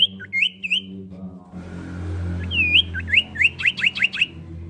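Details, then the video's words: Female common iora calling the male, meant to rouse rivals: a few slurred whistles, then a broad rushing noise, then a fast run of sharp, falling chirps repeated about five times a second. "Cipow GACOR SUARA TERBAIK UNTUK BIKIN EMOSI LAWAN"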